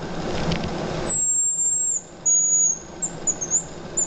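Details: Hazel grouse spring song, given while running in a circle: a very high, thin whistle, a long drawn note then shorter wavering ones, preceded by a brief burst of rushing noise, likely camera lens-stabilizer noise.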